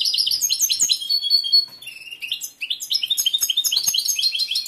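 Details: Caged male European goldfinch with a large repertoire, in full breeding condition, sings rapid bubbly twittering phrases and clear whistled notes, a brief dip in volume midway before the chatter resumes.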